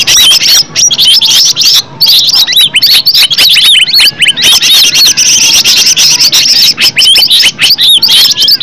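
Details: Natural original green leafbird song used to provoke another leafbird to answer; dense, nonstop high warbling of slurred whistles and chirps, busy and varied throughout, with one brief pause near the start.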